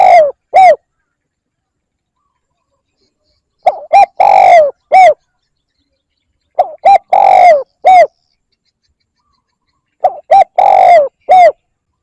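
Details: Spotted dove calling to lure birds, phrases repeated about every three seconds: each has brief introductory notes, a long husky coo, and a falling closing coo. Crisp, close, with nothing else audible.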